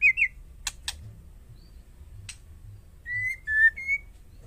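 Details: Female white-rumped shama call used to provoke male birds: a short warbled whistle, a pair of sharp dry clicks, then three drawn-out, nearly level whistled notes, with faint low hum.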